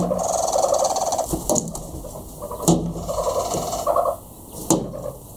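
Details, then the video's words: Hornbills calling in the morning in South Africa in October 2015, early enough to wake people; a series of hollow, clucking notes with a mid-pitched harmonic ring, coming in bursts with brief pauses and a few sharp knocks. "Hornbills - the perfect alarm clock"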